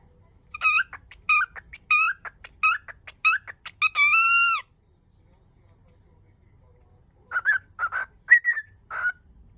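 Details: Indoor pet cockatiel hurriedly repeating a Japanese greeting for a visitor without getting to the end: a run of clipped chattering syllables ending in a sustained whistle, several seconds of silence, then a few softer chirping notes.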